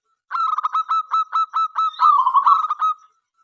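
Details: Local zebra dove in full song, meant to prompt other doves to answer: a single long phrase of about a dozen clipped coo pulses, quickening into a rolling trill near the end, with clean, quiet surroundings.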